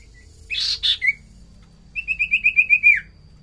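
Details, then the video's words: Common iora in vigorous song, used as a lure for other birds: a harsh buzzy burst and a short whistle, then a fast even series of about eight bright whistled notes ending in a downward slur. "Pancingan burung sirtu cipoh paling ampuh"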